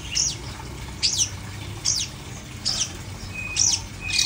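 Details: Long-tailed shrike repeating a harsh, buzzy descending note about every 0.8 seconds, with a thin steady tone at the end and low hum behind.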